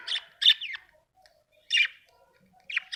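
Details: Happy budgie giving short, sharp, scratchy chirps in separated bursts, roughly one burst every second or so, with faint soft twittering between them. Quiet background.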